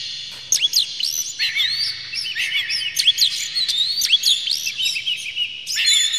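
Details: Oriental magpie-robin song used as a lure to provoke singing and tail-opening: a continuous, busy stream of sharp, sweeping whistles and quick chirps, with varied rising and falling notes throughout and a brief louder burst at the end.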